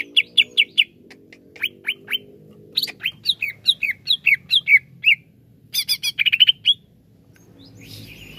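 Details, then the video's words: Greater green leafbird song used as therapy for leafbirds slow to sing: rapid bursts of short, high whistled and chattering notes, rising and falling, with loud clustered chips near the end and a faint low hum beneath. "TERAPI CUCAK IJO LELET BUNYI"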